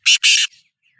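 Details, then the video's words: Sindhi black francolin (kala teetar) calling: two loud, harsh, grating bursts in quick succession, the second longer, followed by a faint trailing note in a quiet setting. "Kala Teetar Voice | Black Frankoline Voice | Sindhi Kala Teetar Voice کالا تیتر کی بولائی"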